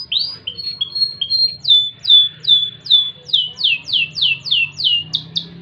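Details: Crested loper canary in cengkok gurih style: clear whistled notes, then a steady series of about a dozen loud downslurred whistles, roughly two to three per second.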